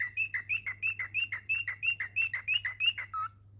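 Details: Pet cockatiels chirping in a brisk, even sequence of short, clear notes, roughly three per second, rising and falling slightly. The run ends on one lower note, with a soft background hum.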